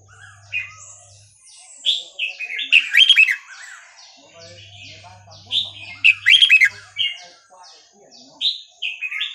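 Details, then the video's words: Red-whiskered bulbul in Burmese song style, played to train young birds: bubbly warbled phrases building to dense bright bursts twice, about four seconds apart, with a low humming background at times. "นกกรงหัวจุกเพลงถิ่นพม่า 3-4-5-6 เปิดสอนลูกนก"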